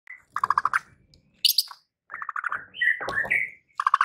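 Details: White-rumped shama song used to provoke rival birds into anger, with bursts of rapid repeated mid-pitched notes, a high harsh phrase and rising whistled slurs separated by short pauses.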